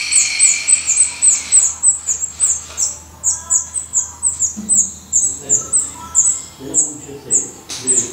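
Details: Black redstart at its nest in Portugal giving rapid, high-pitched repeated notes, with scattered soft clicks and rustles and a low background hum.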